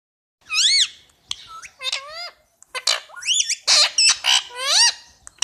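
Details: Pet Indian ringneck parakeet chirping: a rapid run of loud, harmonic-rich screeches and squawks, many rising then falling in arches, with brief gaps between bursts.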